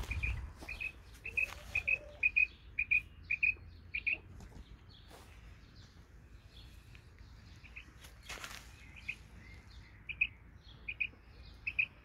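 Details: Garden recording of a female Isabelle quail singing: crisp paired high chirps repeated steadily every half second or so, pausing midway with a brief noise burst, then resuming over quiet background hum.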